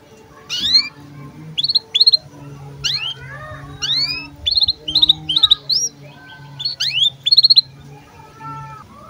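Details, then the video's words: Canary in breeding condition giving birahi chirps, used as a tutor recording for young birds: bright whistled upslurs and short clipped notes in bursts, with a steady low hum beneath. "KENARI GACOR Cuit CUIT BIRAHI UNTUK PANCINGAN & MASTERAN Kenari PAUD AGAR BUNYI DAN NGEROL"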